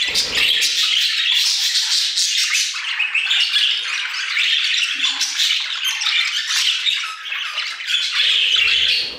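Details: Several budgerigars warbling together in an aviary, a continuous rapid stream of buzzy chirps, clicks and squeaky notes with no real break.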